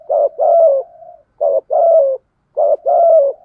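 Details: Spotted doves, male and female decoy birds, calling to stimulate other doves to call: three low hoarse coo phrases, each a short note followed by a longer rolling coo that falls slightly, separated by brief silences.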